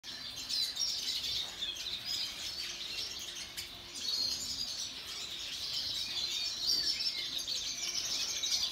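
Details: Siskins of several species, females and young, kept in an outdoor aviary, giving a dense, continuous chatter of high, thin twittering chirps that overlap from many birds at once, with no pause across the whole stretch.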